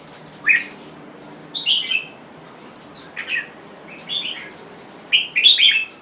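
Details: Jambul bird singing short bubbly phrases of two or three bright, slurred notes, repeated roughly every second, ending in a louder double phrase.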